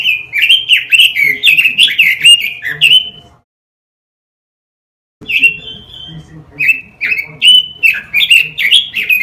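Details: Pekin robin song used as a training recording for caged birds: bright whistled phrases of rapid, slurred notes repeated in quick succession, broken by a pause of about two seconds before the warbling resumes.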